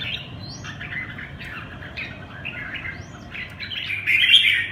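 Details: Red-whiskered bulbul singing a run of short, fluty warbled phrases, each with quick rising and falling whistled notes. The phrases come in bursts separated by brief gaps, ending in a louder, brighter flourish, over faint low background hum.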